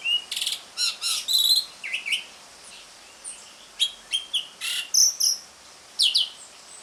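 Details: An Asian pied starling sings in ngriwik fashion, meant to coax a starling that has gone quiet: separated bursts of shrill whistles, short rattles and clipped chirps, with a pause around the middle and a faint hiss behind.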